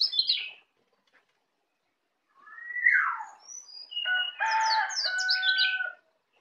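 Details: Practising ngeplong, a native Bali white-eye fledgling gives high chips, a slurred falling whistle, then a dense burst of rapid notes over a steady humming tone.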